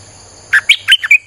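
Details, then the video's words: Single fast phrase from a Streak-eared bulbul, five bubbly, liquid chirps rising and falling, recorded as a lure for wild birds, with a faint steady high tone behind. "เสียงนกดอกแตงEp.159จ้าวขุนศึก สับดอกแบบไม่พัก!!ใช้เปิดล่อนกป่า Suara pikat merbah lekir"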